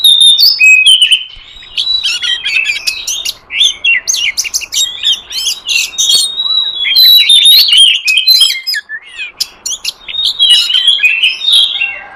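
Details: Wild oriental magpie-robin sound used to lure birds in forest: a long, busy run of rich whistles, chirps and rapid trills, loud and nearly continuous, with brief gaps.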